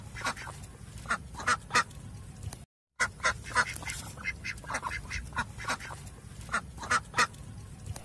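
A duck gives harsh, nasal quacks in irregular bursts of two or three, about every second, over a low background rumble.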